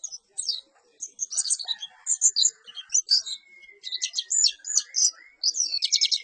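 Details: Song of a perci bird: rapid, dense bursts of high chirping and twittering phrases, with a thin steady whistle running beneath part of the sequence and brief pauses between bursts.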